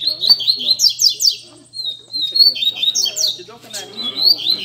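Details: Double-collared seedeater at a Sunday-morning song gathering among friends, delivering rapid high chattering phrases of clipped downslurred notes and thin level whistles, broken by a short gap; soft men's voices in the background.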